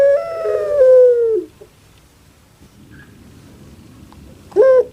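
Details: Single long coo of a kept puter pelung dove from Java, held steady then drooping in pitch, followed by near silence and a final short upward yelp.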